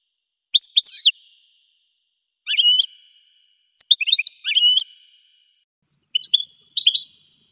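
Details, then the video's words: Goldfinch song: short bursts of high, clear twittering notes with quick upward and downward slides, given in four separate phrases with silent gaps between them. "Magic of the melody of the goldfinch's song"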